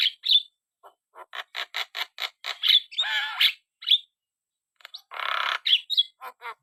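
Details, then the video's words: Black-winged starling singing vigorously: repeated short harsh chatters interrupted by a broad rasping burst, a sharp whistle, and a longer loud grating squawk toward the end. "burung jalak kebo gacor"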